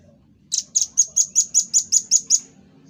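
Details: Velvet-fronted nuthatch giving its characteristic 'tembakan' rapid-fire call, recorded as a master track for training cage birds: ten sharp, high, clipped notes fired about four per second at an even, steady pitch, with a faint low hum beneath.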